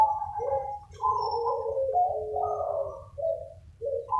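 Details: Used as a lure, a lively group of local zebra doves coo in reply to each other: gentle, burbling, trilled phrases stacked in overlapping layers, with brief pauses between bursts, over low background hum.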